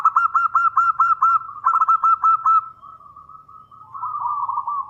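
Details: Local Zebra Dove singing loudly as a lure to draw a reply. Two quick rattling phrases of repeated coo notes are followed by a softer, drawn-out wavering tone. A faint low hum runs underneath.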